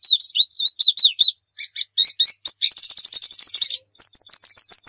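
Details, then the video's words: White-eye 'nembak' song, a tutor recording for baiting birds into song: wavering whistled notes, clipped chirps, a fast buzzy rattle, then an evenly repeated series of high descending chirps. "Masteran pleci nembak"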